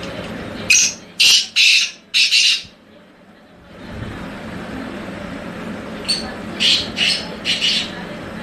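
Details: Harsh, grating call phrase of a tamed wild black francolin from Hangu, Khyber Pakhtunkhwa, Pakistan, four loud rasping notes, a quiet pause, then softer repeated rasping notes over background rumble.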